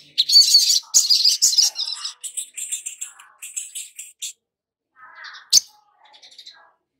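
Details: Long-billed spiderhunter, used as a lure recording to prompt newly caught birds to sing, giving dense, harsh, high chattering bursts for four seconds, then scattered sharp chips and a softer lower warble.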